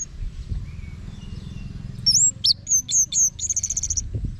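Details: Quiet start with low background hum, then an orange-headed thrush gives high looping whistles followed by a rapid, even high trill.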